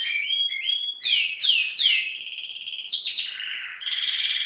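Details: Canary singing vigorously: slower, clear whistled phrases with rising and falling notes and drawn-out warbles, in a clean recording.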